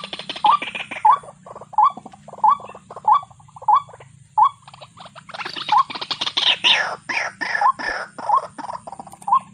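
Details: Waterhen calls: brief, upslurred clucks repeated about every two-thirds of a second, with loud harsh chattering and rustling in the middle of the series over a low background rumble.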